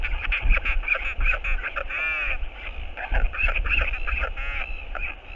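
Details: Northern royal albatross on a nest webcam giving a courtship skycall as its partner returns: loud, braying, harmonic wails with rich overtones, rising and falling in long bursts, over heavy low wind rumble.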